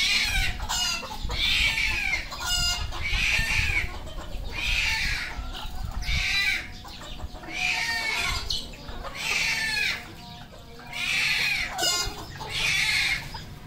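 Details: Red junglefowl on a farm in Cambodia, several harsh, bright crows following one another roughly every second or two, overlapping at times, with clucking and farmyard noise underneath.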